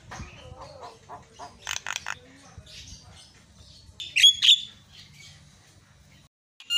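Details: Myna lure sound to make silent birds chatter: soft mixed chatter and short notes, then a loud pair of harsh squawks, then quiet.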